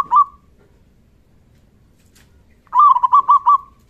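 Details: Loud-voiced local zebra dove calling as a lure to make other doves reply: a brief single coo, a pause of over two seconds, then a rolling phrase of about five throbbing, mellow notes.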